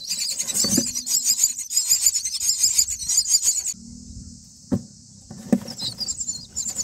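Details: Baby common mynas calling from the nest as adults bring food, day nine; about three seconds of rapid, grating high squeals, then a quieter stretch with a few knocks before the begging resumes.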